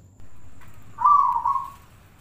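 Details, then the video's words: Zebra dove song for contests and daily listening: after a soft lead-in, one loud, rolling, trilled coo lasts close to a second and then fades away. "suara perkutut paling bagus buat lomba dan harian"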